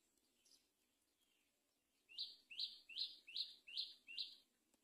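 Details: Great myna feeding a baby on a palm tree: six harsh, buzzy notes repeated steadily about every half second, each starting sharp and fading, after a quiet start with faint background hiss.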